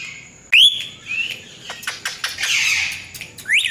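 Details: Loud rising squawk from a pet Indian ringneck parakeet with a cat-like talking voice, followed by softer chirps, a buzzy rasp and another upward squawk at the close.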